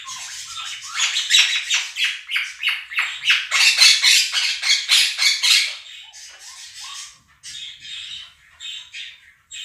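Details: A pair of pet Quaker parrots, calling over played budgerigar sounds: a run of loud grating squawks at a steady quick pace, then quieter scattered chirps toward the end.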